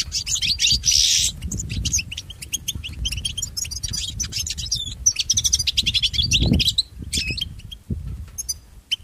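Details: Pet-training recording of a European goldfinch in extended song, a long run of quick chattering twitters, sharp ticks and thin whistles, with a brief noisy burst near the start and faint low rumbling throughout.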